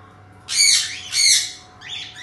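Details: A caged colony of cockatiels offered for sale in Pakistan; harsh, high, scratchy squawks come in two strong bursts about half a second apart, then a softer third call, over a faint indoor hum.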